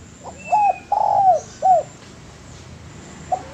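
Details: Spotted dove song for training birds: soft lead-in note, short hoot, long curved coo and closing short coo, followed by quiet; a faint thin whistle from another bird early on.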